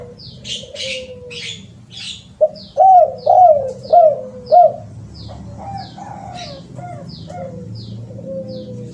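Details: Spotted dove voice for luring birds: a soft sliding coo, then five loud, evenly spaced cooing notes and quieter follow-up coos, over steady background hum and repeated high, downslurred chirps from another bird.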